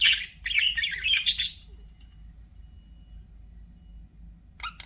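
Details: A pet budgie chatters for about a second and a half in scratchy chirps and squawks, then near silence with a soft hum, ending with one brief harsh squawk.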